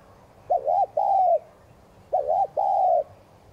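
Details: Spotted dove coo meant to trigger cooing in newly caught doves. Two low phrases a second and a half apart, each a rapid warbling double note followed by a longer smooth note.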